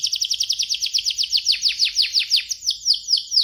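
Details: Chatty F1 canary from Indonesia singing a rapid rolling series of sharp downward-sliding whistles, roughly eight per second, slowing and spacing out near the end; steady high-pitched song with quiet background noise.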